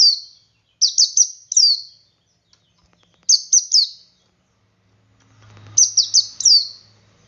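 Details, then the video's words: Male Oriental white-eye in ngalas song, meant to get other white-eyes singing: rapid clusters of three to four high, slurred whistles repeated in phrases, with a brief low hum near the end. "Suara Burung Pleci Jantan Ngalas Memancing Pleci Lain Ikut Ngalas"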